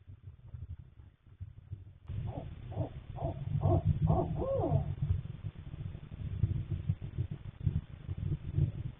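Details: Barred owl at a nesting box in March 2026, male bringing late-night food to the female incubating three eggs; a short run of low, slurred hoots with a rising-falling ending, over steady low rumbling background noise.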